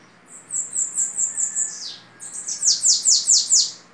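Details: Bananaquit of the 'babaçu' type singing in the 'belga' song style, described as very orderly: a run of about seven high, thin descending notes, then a brief pause and a second series of louder, sweeping buzzy notes, repeated rapidly.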